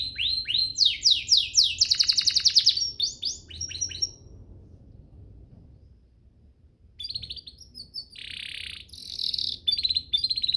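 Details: Canary master song for training: repeated sharp downslurred notes building into a fast buzzing trill, a pause of nearly three seconds, then another dense rattling phrase with chirps.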